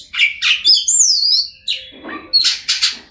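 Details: Oriental magpie-robin (kacer) singing to prompt silent birds to sing: a rich, varied run of loud whistles, sliding high notes and harsh buzzy bursts, broken by short pauses.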